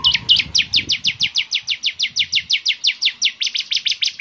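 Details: Bar-winged prinia (ciblek semi) singing actively, its distinctive song said to make other ciblek semi join in; a long, very regular trill of high sweeping notes, about five each second, clean and loud.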